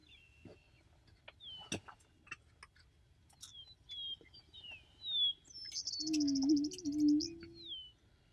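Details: Endangered Attwater's prairie-chicken booming: a low, hollow hooting moan, swelling and fading for nearly two seconds near the end, while higher songbird whistles and chirps sound throughout.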